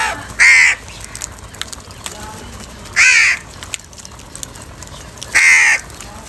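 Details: Crows fighting over food at morning feeding time; three loud, harsh, drawn-out caws spaced roughly two and a half seconds apart, with quieter faint background sounds between them.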